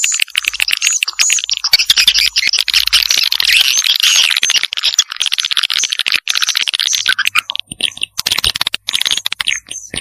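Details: Swiftlet lure sound in the Vietnamese "janda" style: dense, continuous high chattering twitters with short clicks and thin whistled notes, busy and unbroken, fading into sparser bursts near the end.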